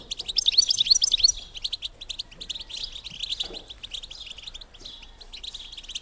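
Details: Rapid high twitter from a female European goldfinch, used to stimulate males to mate: a bright, loud burst of chirps in the first second, then a steady, softer stream of fast chips.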